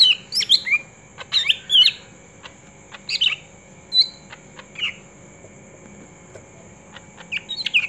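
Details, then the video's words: Green leafbird song used as a training recording, bursts of varied, rich whistles and chattering chirps in irregular phrases, with a thin steady high whine in the background. "Masteran cucak ijo ampuh"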